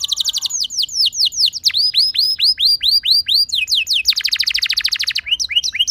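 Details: Canary song played to bring other canaries into song: a long series of sweeping downward whistled notes, then a dense rolling trill and a few more curved notes.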